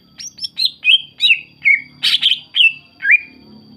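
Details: Greater green leafbird, sung to make other leafbirds respond and join in: a varied string of about ten notes, mostly clear falling slurs, broken by one harsh, buzzy burst near the middle.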